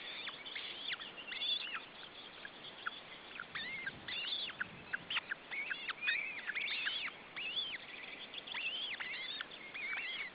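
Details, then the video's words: Male osprey trying to feed his chicks at an Estonian nest; repeated arched, whistled chirps, some in rapid clusters, others spaced, over a steady background hiss. "Male osprey tries to feed his chicks"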